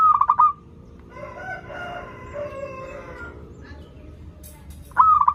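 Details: Local zebra dove song, used as a lure for doves that are learning to sing. A stuttering coo phrase opens and closes the recording, while a long rooster crow fills the middle.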